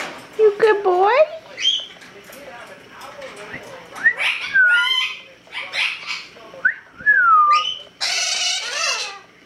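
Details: A White-fronted amazon (Amazona albifrons) talking, saying "Hello", chatters in speech-like phrases with rising and falling whistles, ending in a harsh raspy squawk.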